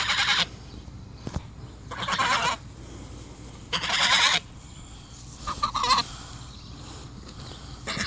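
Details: Two Sebastopol geese acting as bodyguards, guarding their owner from the dogs: three loud, harsh, broadband honks spaced about every two seconds, followed by fainter, shorter calls over steady background noise.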